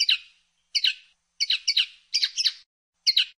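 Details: Common linnet, known locally as pardillo or pajarel, singing a series of short twittering double notes spaced by pauses, each phrase a quick chirp pair, six phrases across the clip.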